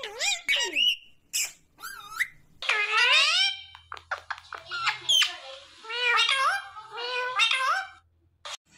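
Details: Talking pet Indian ringneck parrot producing a rapid stream of warbling, speech-like phrases with rich overtones, interspersed with brief clicks and whistles, indoors.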